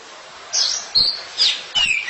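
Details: Oriental magpie-robin from a pair singing against each other, giving four short separate notes, sharp rising and falling whistles with brief gaps between them.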